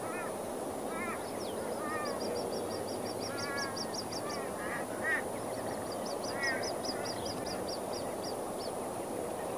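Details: Plumed whistling ducks with young near Moggill, Queensland, Australia: scattered arched whistles mixed with long rapid runs of high thin chips from another bird, over continuous background noise.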